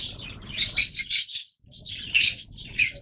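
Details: A quick string of four shrill, rasping chirps from yellow Fischer's lovebirds, then a short silence and two more squeaky calls.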